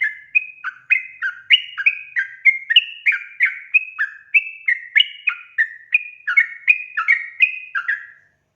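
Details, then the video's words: Sooty-headed bulbul singing energetically, used as a lure to get untrained birds singing: a long, even chain of short whistled notes alternating high and low, roughly three a second, each starting sharply and trailing off. "panggilan suara trucukan gacor efektif untuk pancingan burung trucuk bahan agar bunyi"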